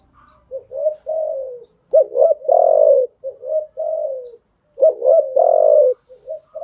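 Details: Cooing spotted dove, used as a training call for newly caught birds; steady low coos in quick phrases ending in long, vibrant drawn-out notes.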